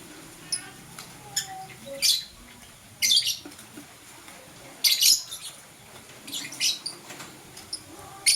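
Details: Morning chirps from blue and green lovebirds. Shrill, scratchy high bursts repeat irregularly about every second or two, some doubled, with faint thin whistles between them.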